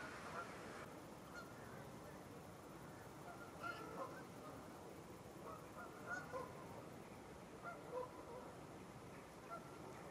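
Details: Large flock of over 100 wild Canada Geese grazing in a stubble field in Wiltshire, UK, in October 2019; scattered distant honks every second or two over a steady murmur of flock chatter.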